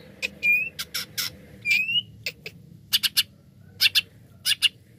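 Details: Greater green leafbird, cucak ijo, singing a lure song meant to get other birds singing: harsh broadband chips and scratchy notes mixed with a few clear rising whistles, in uneven bursts.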